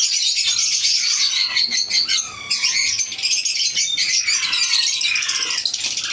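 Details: Young Alexandrine parakeet begging while being fed by hand, a loud unbroken raspy wheeze with slight rises and falls in pitch throughout.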